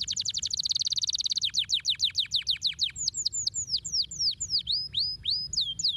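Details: Canary song to rouse lazy canaries into singing: a very fast buzzing trill, then slower descending chirps, ending in widely spaced swooping whistles.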